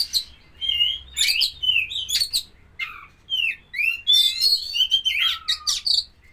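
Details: Oriental magpie-robin of the poci type, kept during pairing: a rich, continuous song of varied whistles, sharp clicks and rising and falling slurs, loud and fast with few pauses, over a low background hum.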